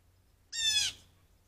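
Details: Blue jay on a deck table, recorded by trail cam with sparrows nearby; a single harsh, nasal call about half a second long, rich in stacked overtones, against a quiet background.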